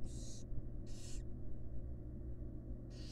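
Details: Wild barn owl fledglings fed by their mother in a nest box: loud, rough hisses of under half a second, two close together and a third after a pause, over a steady low drone.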